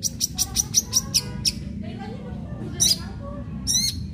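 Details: Long-tailed shrike giving fighting-style song as a lure for other shrikes: a rapid run of about eight high, sharp repeated notes, then a soft low warble and two harsh, buzzy bursts, steady hum beneath.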